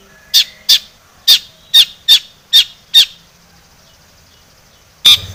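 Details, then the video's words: Long-tailed shrike used as a singing lure: seven harsh, raspy notes spaced roughly half a second apart, then a pause and a final loud rasp with a brief low thud. "SUARA cendet gacor ATATCLETAT pancingan cendet agar bunyi emosi"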